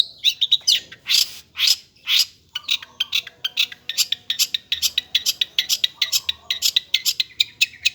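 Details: Long-tailed shrike in lively song: a few loud harsh bursts open, then a long rapid chatter of crisp high notes, steady and slightly varied in pitch, continuing for several seconds.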